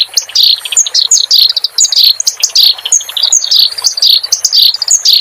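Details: Clamorous reed warbler, song used to tutor caged songbirds: energetic run of sharp downslurred whistles and scratchy notes at a rapid, uneven pace, with no pauses.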